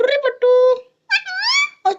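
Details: Pet parrot speaking in a small indoor room: a run of voiced, speech-like syllables with steady and then gliding tones, a short pause midway, followed by laughter.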